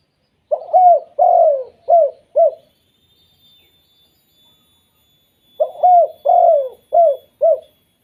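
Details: Spotted dove 'kuk 2' call that triggers other doves to call: two identical phrases about five seconds apart, each of four low, rounded coos with a long second note, over near silence.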